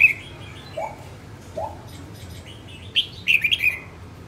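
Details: Female red-whiskered bulbul singing while being trained to sing: two soft lower notes, then a burst of bright warbled phrases near the end.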